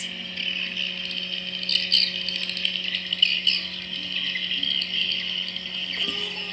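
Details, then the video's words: Dense, continuous high chirping and rattling twitter of real swiftlets, captured live through a sensor cable at a swiftlet house, with a steady low electrical hum underneath. "SUARA ASLI WALET"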